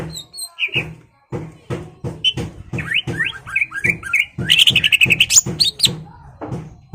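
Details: Greater green leafbird in energetic song meant to provoke a rival into fighting: bright whistled notes and slurred phrases around mid-high pitch weave through a fast run of sharp, steady clicking pulses, ending in a rapid rattling trill.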